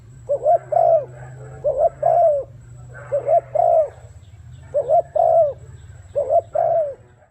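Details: Spotted dove 'gù' cooing: groups of two to three mellow arched notes with brief pauses between them, over a continuous low hum and a faint high tone.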